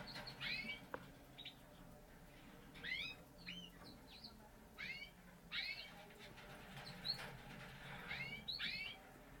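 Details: Parisian Frill canary, a frilled canary breed from a show breeder. It gives short, bright, downward-sweeping chirps in clusters, spaced by pauses of one to two seconds, over a steady low room hum.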